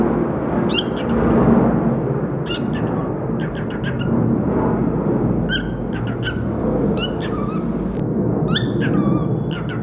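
A cockatiel gives short, bright harmonic chirps in loose bursts, with a few brief whistled notes near the end, over a steady low rumbling background.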